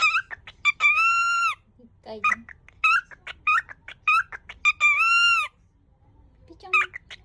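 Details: Cockatiel kept as a pet, greeting a visitor by repeating a Japanese welcome phrase it never quite completes; quick squeaky talking syllables broken by two long, steady harmonic whistles, indoors in a quiet room.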